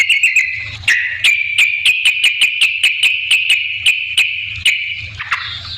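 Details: Lively 'gacor' singing of a yellow-vented bulbul, played as a lure to provoke replies: a fast series of clipped, ringing notes on a near-steady pitch, ending in a short rising slur.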